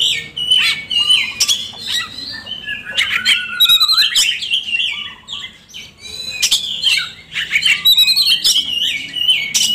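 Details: Kacer, the Oriental magpie-robin, singing a lure song intended to get lazy birds singing: a long, varied run of whistles, buzzy downslurs and sharp chips, delivered in dense bursts with short pauses.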